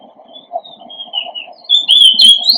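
Oriental Magpie-Robin song: a few thin, faint whistles, then a louder, clear whistled phrase that swoops and rises near the end, over a steady low hum.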